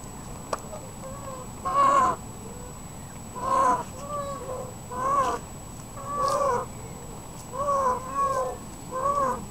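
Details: Indian peafowl (Pavo cristatus) gives a string of short, nasal, wailing calls about every one to two seconds, some doubled, over a faint steady background hum.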